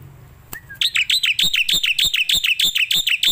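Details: Starling song meant for training other birds: one short slurred whistle, then a rapid, even run of loud, high, down-slurred chirps repeated about three times a second.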